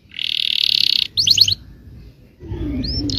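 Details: Yellow canary singing to incite other canaries, fainter here: a buzzy roll, a short burst of rapid notes, then low background noise and a single rising whistle.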